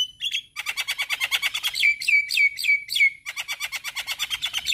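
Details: Male Javan myna used as a song model for other mynas: quick rasping chatter, then four clear falling whistles in sequence, followed by more fast, even chattering notes.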